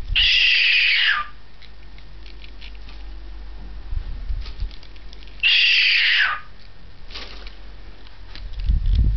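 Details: A young pet cockatiel swinging on a perch, recorded 2012-08-17, gives two loud, harsh screeching calls about five seconds apart.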